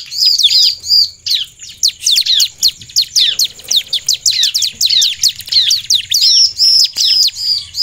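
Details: Bar-winged prinia in strong, emotional song alongside female calls used to draw a quick response from other prinias; dense, rapid series of high, sharp descending chirps and looping whistled notes, almost continuous throughout.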